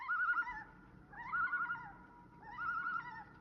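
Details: Loons on the shield at night give three drawn-out, wavering, yodel-like phrases about a second apart. Each phrase rises and then falls with a quavering middle, over a quiet night background.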